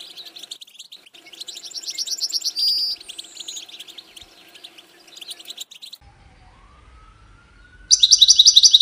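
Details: Goldfinch song used in courtship and communication, a long stretch of fast, high, tinkling twitters and trills. It stops suddenly, a thin rising tone sounds in the quiet, then a loud buzzy repeated trill bursts in.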